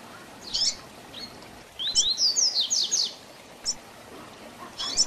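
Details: "Tui tui zel zel" song of a double-collared seedeater, a style meant for teaching young birds. Short high notes are followed by a one-second run of rapid, descending whistled slurs, then isolated high chips, all over light background hiss.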